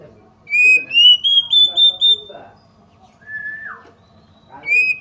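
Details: Female Oriental magpie-robin provoking males: a rapid series of five or six rising whistled notes, softer chattering below, then a lone downslurred whistle and a fresh rising note at the end.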